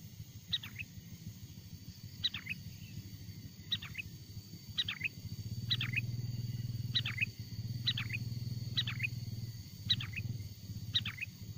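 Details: Wild sooty-headed bulbul singing, a recording meant to attract wild bulbuls: nine evenly spaced short phrases of two to four sharp descending notes, roughly every 1.2 seconds, with a continuous high whine and low rumble.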